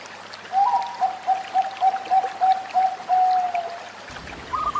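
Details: Zebra dove (perkutut), caged songbird. Soft, mid-pitched cooing notes repeat rapidly, about eight in a run, with a slightly higher opening note. Steady trickling, flowing water sounds throughout, and a brief new coo starts near the end.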